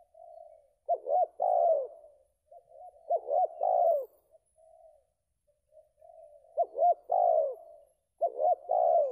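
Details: Spotted dove (balam belah rotan), a contest bird back in competition after its moult and ranked second: soft, low drawn-out coos alternate with louder emphatic two-part coo phrases every two to three seconds, with quiet room ambience.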